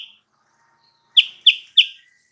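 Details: Sooty-headed bulbul song played as a lure to draw a rival's reply: after a short note and a pause, three crisp, high chirps follow evenly, each dropping in pitch.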